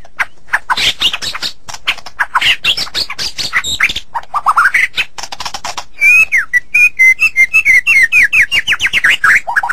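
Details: Song of a white-rumped shama, meant as a master track for training songbirds. It opens with dense scratchy chatter and sweeping notes, then a fast series of about fifteen repeated whistled phrases.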